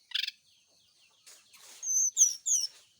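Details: [1, 'likely', 'song', 'Brown-chested jungle flycatcher singing in the morning during dew exposure meant to make it sing often: a short burst of rapid chirps, a pause, then bright high whistled notes and a few wavy slurred phrases.']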